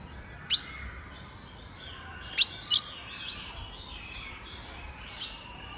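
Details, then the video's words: A female Colombian blue-black grosbeak gives sharp, high chip notes, a few loud and some faint, spaced irregularly against a steady background hiss. "Fêmia de azulão colombiana cantando e piando"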